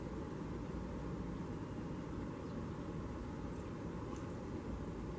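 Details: Steady outdoor rumble of engine noise and broadband hiss, with no distinct animal calls.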